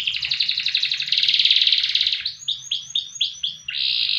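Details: Loper canary with long, loud song: about two seconds of dense, buzzy trilling, then six swooping, rising-falling notes in quick succession, ending in another sustained trill.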